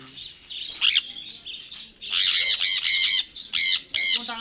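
A sun conure gives loud, harsh, grating screeches in quick bursts.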